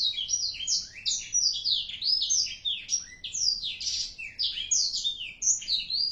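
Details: Black-throated canary aged four months, singing continuously with gusto: a long unbroken stream of quick, varied, high-pitched chirps, slurred whistles and twitters.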